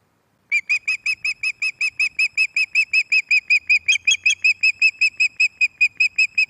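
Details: Female Osprey calling on her Loch of the Lowes nest, 11 May 2024, around evening as a new male appears: a long steady series of about thirty shrill whistled chirps, roughly two to three per second, unbroken for six seconds.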